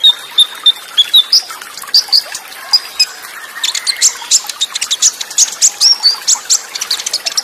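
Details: Olive-backed sunbird song in the Tembakan Cililin style, with fast rolls and tight pauses, over water sound: thin high chirps and short whistled notes, first spaced, then denser rapid ticking bursts.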